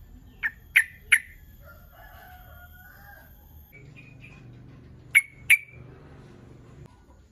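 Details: Sooty-headed bulbul calling to lure rival birds into answering: sharp clipped notes, a quick group of three, a pause with faint softer tones, then two more sharp notes.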